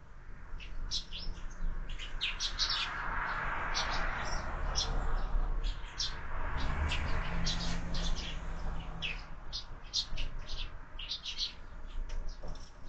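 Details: A flock of sparrows at a window feeder, fed year-round, chirps continuously at breakfast: quick, sharp notes several per second, overlapping, with a steady background rumble of traffic.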